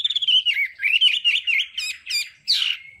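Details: Brief burst of Hwamei đảo âm training song, a continuous warbling whistle that wavers up and down, broken by a few sharp clipped notes and ending in a harsh buzzy flourish.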